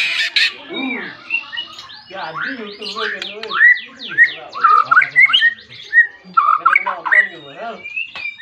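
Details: White-rumped shama calling a rival, its song meant to provoke other shamas to sing; a dense, varied stream of slurred whistles, rising and falling notes and chatter, with continuous background noise.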